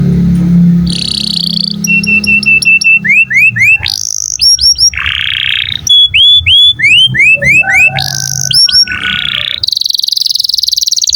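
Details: Domestic canary singing energetically, a recording used as a tutor for other songbirds: a long varied song of buzzy rattles, rapid rising whistled notes repeated in quick series, sweeping upslurs and dense high trills, with a faint steady tone underneath.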